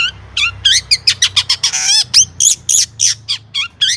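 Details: Long-tailed shrike singing a lively 'gacor' song with rich 'isian' fill: a rapid, uneven run of sharp high chirps, slurred whistles and buzzy trills, with a dense burst midway, about three notes per second.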